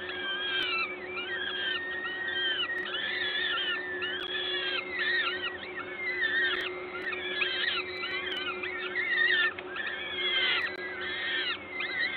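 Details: Peregrine falcons at a Gdańsk nest, Poland, 14 May 2022, late morning during a feeding: a busy chorus of overlapping thin wailing calls, each rising then falling, coming several at once with little pause, over constant background hum.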